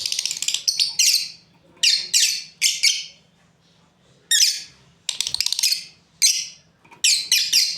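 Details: Breeding pair of lovebirds chirping: sharp, harsh high-pitched chirps in quick bursts of two to four, separated by short pauses, with a faint low hum beneath.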